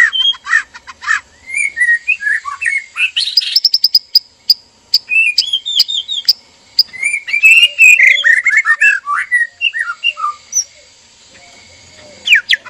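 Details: Breeding-cage pair of white-rumped shamas, male and female, calling in mating arousal: clipped notes, a high repeated piping series, then a rich tumbling passage of varied whistles fading out.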